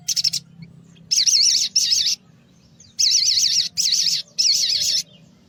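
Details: Mountain tailorbird, called sogon pastol, singing in the morning for luring small birds: rapid clicking burst, then repeated loud rippling high trills in phrases of about half a second, with brief gaps and a faint background hum.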